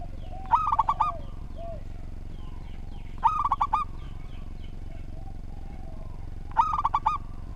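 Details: Local zebra dove, recorded as a tutor for other birds, gives a tidy song of rapid, trilled coo phrases every three seconds or so, with a few soft, lower dove coos and faint chirps behind.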